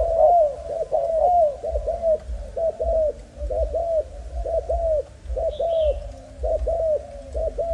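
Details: Young spotted dove of Malaysian stock kept for breeding, giving repeated coo phrases of short notes followed by a drawn-out, gently arched coo, about one phrase per second, over a low steady hum.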